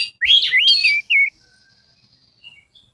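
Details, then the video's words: Orange-headed thrush song played to set silent birds singing: a loud, tumbling run of swooping whistled notes lasting under a second, then one short dipping whistle, trailing into faint distant chirps. "Suara Pancingan Anis Merah Macet Langsung Seperti Burung Kenari Gacor"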